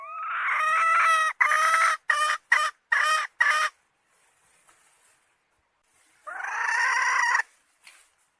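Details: Domestic hen gives a drawn-out rising note, then a burst of five clipped syllables. After a quiet pause comes a second long, harsh note and a faint final sound.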